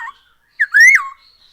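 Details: Black-throated laughingthrush sound used to encourage birds to sing: one clear, loud whistle that climbs steadily and then falls away abruptly, after a brief introductory note.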